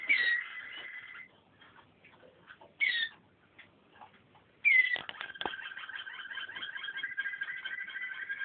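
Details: Waterslager canary singing: clear whistled notes at the start and again near three seconds, then a long rolling, bubbling trill held steady through the final three and a half seconds.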